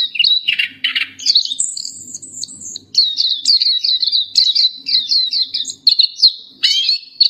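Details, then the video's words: Black-capped white-eye, known locally as pleci topi hitam or dahi hitam, in a continuous 'gacor' tutor song: rapid high twittering warble of quick sliding chirps, with a brief higher whistled stretch early on, bursts separated by short pauses. "Masteran suara burung Pleci Topi Hitam/Dahi Hitam gacor"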